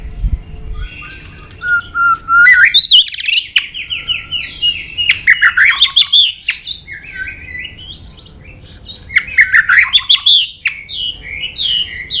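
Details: White-rumped shama fighting song, used to stir up and train singing: loud, rich, varied phrases of warbled and whistled notes, interleaved with rapid sharp clicks and chattering bursts, with short pauses between phrases.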